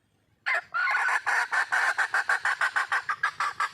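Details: Junglefowl hen calling for a male in the wild: a sudden loud start followed by a rapid, continuous stream of clucks, about three to four per second, strong and even.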